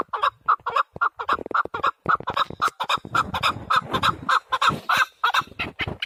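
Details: Male partridge kept for hunting, calling in a loud, rapid run of harsh clucking chuk notes, about three to four per second, each a short burst with strong overtones, continuing steadily through the clip with no other clear sounds.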